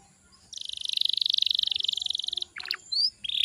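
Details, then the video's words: Canary singing as a lure for young birds: a steady rapid trill lasting about two seconds, then short chirps and a rising whistle, softer, with faint low background noise. "PANCINGAN KENARI BAHAN AGAR CEPAT GACORR"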